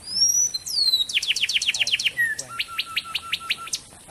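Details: Song of a wren, a bird said to range from Central Mexico to Costa Rica in thick vegetation near streams, played for training magpie-robins. Thin rising whistles lead into about eight rapid downward-sweeping notes, then a steady run of crisp repeated chips.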